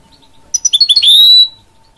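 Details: Short burst from a goldfinch and canary hybrid: a quick series of six clipped high chirps speeding up, then a long bright whistled note held for half a second; faint steady hum in the background.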